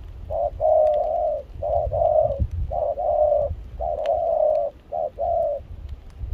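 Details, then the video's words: In rain and cold wind in Kon Tum, a spotted dove repeats phrases of short and extended coos, roughly one phrase a second, over strong low-pitched wind noise. "Gác cu khi trời mưa gió se lạnh.bổi giọng pha nước ngoài chơi tốt"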